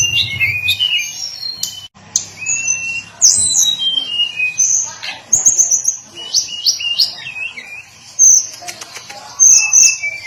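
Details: Hill blue flycatcher giving scattered high whistled phrases, some sliding down, others short and clipped, over a steady low hum and occasional faint clicks.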